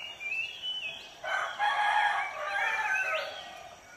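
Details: Rooster crowing in a village in the morning: a loud, harmonic, drawn-out crow lasting about two seconds, rising at the end, with faint chirping of small birds before and after.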